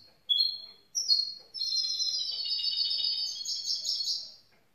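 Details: A young grey-blue goldfinch mule sings two short high notes, then a fast, bright twittering warble that runs for about three seconds over a quiet background.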